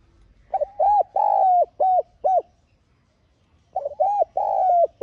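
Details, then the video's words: A spotted dove used as a lure bird to call in wild doves gives two phrases of soft, arched coos, four or five notes each, with a pause between. No other sounds are heard. "Tiếng Cu Gáy Mồi hay Giọng Hạp BổI [GỌI,THÚC]"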